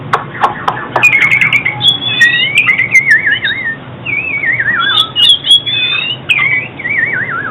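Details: Oriental magpie-robin song, used for trapping birds and training song: sharp clicks, then long sliding whistles, several descending in wavering trills, rich and continuous over a low hum.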